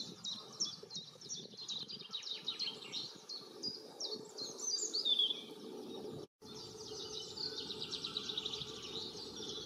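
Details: Long-tailed tits, a breeding pair lining their nest with feathers, filmed at a distance: dense runs of high, thin twittering and quick down-slurred notes, one louder sweeping call mid-way, then fainter high chatter after a brief break.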